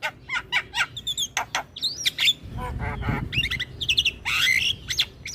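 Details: Javan myna in full gacor song: quick repeated chips, squeaky whistles and harsh squawky bursts, with a stretch of broad rasping noise midway.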